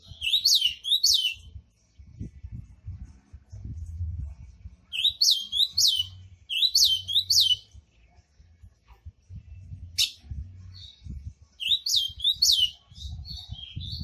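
Ultramarine grosbeak giving short, quick, high warbled phrases about a second and a half long, four times in fourteen seconds, over a low indoor rumble.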